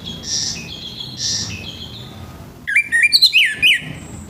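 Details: An orange-headed thrush singing in the morning to stimulate other birds of its kind. Two soft, hissy notes come first, then a rapid run of sharp whistled notes that climb and drop in pitch.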